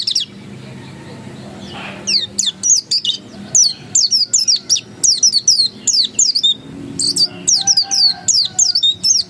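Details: Oriental white-eye (pleci dakun) singing insistently in 'ngotot' style: a long, steady string of high, rapid, slurred chirps, each dropping in pitch, in even pulses after a short quiet start.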